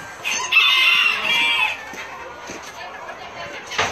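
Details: Self blue Old English Game bantams in a flock; one bird gives a drawn-out, harmonic crow-like call lasting about a second, followed by quieter clucks and scratchy background noise, with a brief sharp sound at the end.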